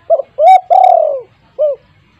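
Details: Spotted dove in a home setting, its voice used to coax silent doves into calling: a short double note, a rising coo, a long falling coo, and a single clipped note to finish. Near and clear.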